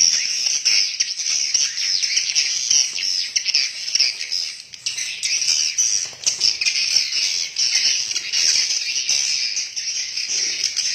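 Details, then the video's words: Many swiftlets calling inside a swiftlet house, an unbroken high chattering, buzzy chorus of overlapping twitters that stays steady throughout with slight rises and dips. "INILAH SUARA ASLI BURUNG WALET DALAM RBW"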